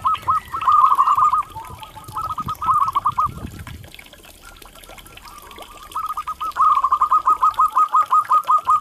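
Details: Local zebra dove cooing, used as therapy for stressed or silent doves: a rolling trill of soft repeated notes, a quieter muffled stretch in the middle, then a long, loud, evenly spaced series of coos, with low rumbling noise early on.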